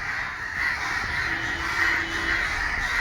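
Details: A crowd of crows gathered together after being disturbed, calling in protest; dense overlapping harsh caws merge into a continuous rasping din, with many birds calling at once and no clear gaps.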